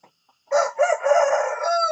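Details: Rooster in the morning giving a loud crow that starts sharply, breaks briefly, then holds a long steady harmonic note for over a second, with near silence before it.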